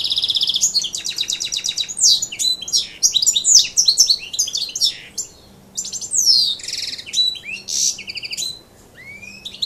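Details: Caged goldfinch x canary hybrid (major mule) singing: a rapid, varied finch song of bright twittering trills, buzzy rattles and sweeping whistled notes, nearly continuous with short pauses, plus a faint low steady hum.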